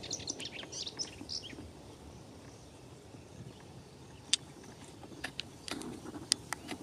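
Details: A Melodious warbler (Hippolais polyglotta) sings a quick, high twittering phrase, then scattered sharp ticking notes, over a steady low rumble of background noise.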